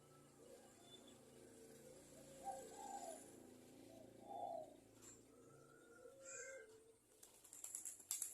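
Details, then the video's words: Local zebra dove, a bird of Java, in a lure recording used to get other zebra doves to sing: soft, bubbly low coos swelling in short bursts, with thin higher chirps and whistles of other birds toward the end. "Perkutut lokal gacor juara nya pancingan perkutut agar bunyi"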